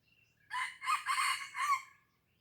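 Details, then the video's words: Red junglefowl crowing at Blang Ulam, Krueng Raya in Aceh, an old 'laga ori' bird: one short, loud, raspy crow in four bursts, the last with a rising-falling tail, in quiet surroundings. "Ayam Hutan Aceh = Laga Ori Tua Blang Ulam Krueng raya"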